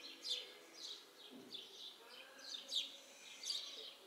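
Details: House sparrows in a backyard tree give short, bright chirps repeated every half second or so, with a faint low murmur in the background.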